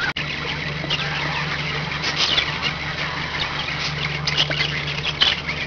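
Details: Five pet budgerigars chattering together: dense, scratchy warbles and short squeaky chirps overlapping continuously, with a steady low electrical hum underneath and a sharp knock near the start.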